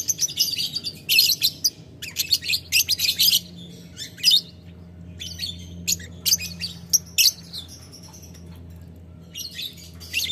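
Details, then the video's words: Lovebird chattering at a rival in the ngetik ngekek style: clustered shrill, rasping bursts early on, then sparser sharp ticks and a final burst after a quieter spell with a low background hum. "Lovebird Memanggil Lawan Ngetik Ngekek"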